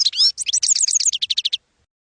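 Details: European goldfinch singing campero style, used to educate young goldfinches: a buzzy slurred opening, then jumbled twitters ending in an evenly spaced series of repeated bright notes before silence.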